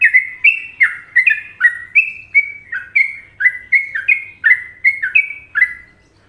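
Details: Trucukan-style tutor song of a sooty-headed bulbul from Indonesia: bright, mellow warbled notes in quick pairs, some dropping and some lifting, chained steadily before fading out at the end. No other sounds are heard.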